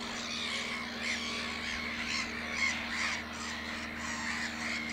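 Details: Black-headed gulls at Naturum, Lake Hornborga (Hornborgasjön), one preening and resting from nest building; a dense, continuous chorus of harsh, overlapping squawking calls with no pauses, over a steady low hum.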